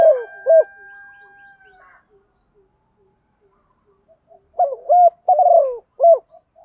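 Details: Decoy spotted dove calling the flock at morning with chiêu một hậu cooing: a closing coo pair fades under a thin steady whine, then after a long silence comes a full phrase of soft, low coos ending with a single detached coo.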